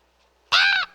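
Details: Raven giving a single short, harsh, hoarse croak of about a third of a second against a quiet background.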